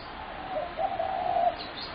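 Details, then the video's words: Single drawn-out low coo of a spotted dove, recorded 21 January 2017, swelling in the middle and fading, with a faint high chirp right after. "Spotted dove horrendous racket"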